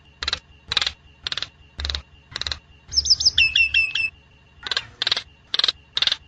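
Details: Nias hill myna song for use as a master recording or trapping lure: regular harsh, broadband bursts about every half second, broken midway by a quick run of high, sharply bending whistled notes.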